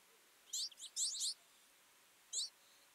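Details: Winter feeding flock of twites giving a quick burst of buzzy high chirps, a pause, then one more doubled call.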